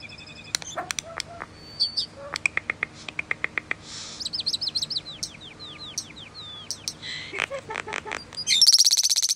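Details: Common starling singing a long, varied song: dry rapid clicks, a run of sharp ticks, then a string of looping, slurred high whistles and a final buzzy rattling burst.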